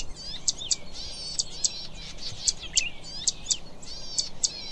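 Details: Zitting cisticola giving crisp, very high ticking notes, often doubled, spaced roughly every half second over a continuous backdrop of warbling, undulating bird chatter.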